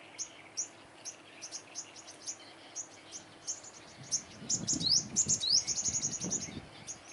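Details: Five-colored sunbird at a trap, facing off against dominant males: fast run of thin, high ticking notes about three per second, then a loud burst of rising, sweeping whistles, with rustling and flapping below.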